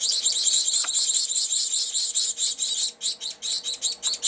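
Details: Gouldian finch chicks aged 22 to 23 days begging as the female feeds them at an open nest, January 13, 2009; dense high rasping chatter that breaks into separate pulsed notes toward the end.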